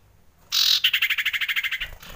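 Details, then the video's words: Frightened common iora giving a lure-type alarm: a loud buzzy opening note, then a fast even trill of about twenty clipped pulses in just over a second, slightly falling in pitch, ending abruptly in a quiet background. "SUARA PIKAT CIPOH KETAKUTAN"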